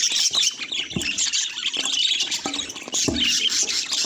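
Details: Pet budgerigars chattering as a group: a dense, continuous wash of high twittering, chirps and scratchy warbles with a few sharper squawks, without music.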